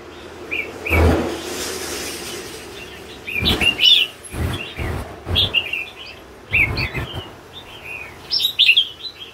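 A red-whiskered bulbul sings bright, bubbly whistled phrases in quick bursts, with occasional dull knocks.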